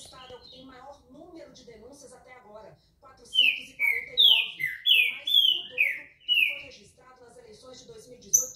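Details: Green-winged saltator, known locally as pixarro or trinca-ferro, delivering a loud burst of about seven rich whistled notes, each sliding downward, after several seconds of low television speech in Portuguese.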